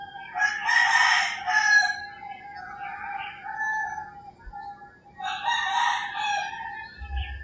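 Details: Roosters crowing at early morning in rural Philippines: a loud, harsh crow in the first two seconds, quieter calls in between, and a second long, raspy crow after five seconds.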